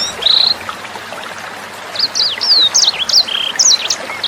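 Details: Sanger bird used as a tutor for training songbirds. One long steady whistle opens, then comes a short pause filled only by running water, before a rapid burst of high chirps and slurred whistles.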